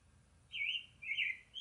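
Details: Northern cardinal, also known as the Virginia nightingale, singing: two clear whistled phrases, each sliding down then up and slurred, followed by the start of a third, over a quiet background.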